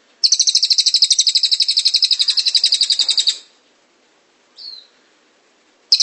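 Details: Cililin trilling continuously for a master song: a high, fast rolling series of pulsed notes lasting about three seconds, followed by silence, one short slurred note, and the start of another trill.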